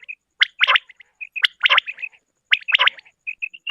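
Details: Female common quail (batair) call, used for quail hunting and netting: bursts of harsh, chirpy notes about once a second, with short high, clear pips between them.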